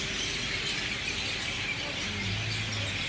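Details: Sunset chorus of many birds in a Lahaina banyan tree, West Maui: continuous shrill overlapping chirps blending into a steady high hiss, with a faint low hum late on.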